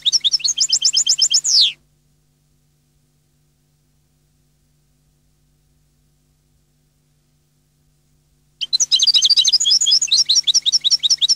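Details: Goldfinch song in two bursts: first a rapid series of repeated high clipped notes closing with a downward buzzy slur, then a long silence of about seven seconds, then a dense liquid twittering flow of very high notes.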